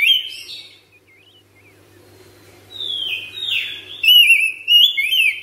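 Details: Household oriental magpie-robin (kacer) in ngropel song: a brief whistle, near-quiet stretch with faint hum, then a rising buzzy slur and loud clear whistled phrases in the last seconds.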